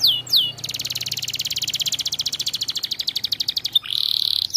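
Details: Canary singing to provoke rival birds: two sharp downslurred whistles, then a long fast high trill of buzzy repeated notes that slows toward the end, followed by a steady high buzzing trill; low hum in the background.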